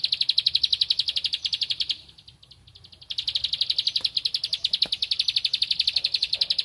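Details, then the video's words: A bar-winged prinia looking for a rival sings a fast train of bright clicking notes, breaks off for about a second, then resumes the same quick, steady high pulses until the end. "Ciblek Padi Cari Lawan Gacor Temabakan Ngempel"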